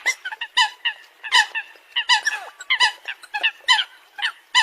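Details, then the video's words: Coot calls in a fast, uneven series of clipped, honk-like notes, roughly eighty a minute, bright and nasal with no other clear sounds. "Tiếng Chim sâm cầm"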